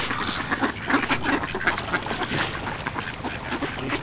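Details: A large crowd of ducks during a feeding frenzy, their dense overlapping quacks merging into a continuous noisy clamour.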